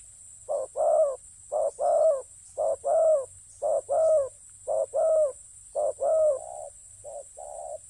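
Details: Regular, rhythmic cooing of a spotted dove for ground decoy hunting: about seven loud husky double coos nearly a second apart, trailing off into softer single coos, with a continuous faint high hiss.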